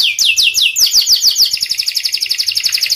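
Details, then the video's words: Canary of the panda variety in lively song. Slurred chirps quicken into a fast, even series of sharp high notes, roughly two to three per second at first, then faster. "Kenari panda gacor"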